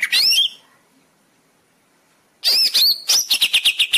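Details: Greater green leafbird singing, used as master material to get caged leafbirds singing quickly: an opening high whistled flourish, two seconds of silence, then a bright run of varied whistles breaking into rapid regular chips.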